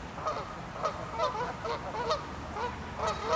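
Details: Canada Geese fight and charge at each other, trading loud, angry, nasal honks in quick succession, roughly two or three per second, which overlap in a heated squabble.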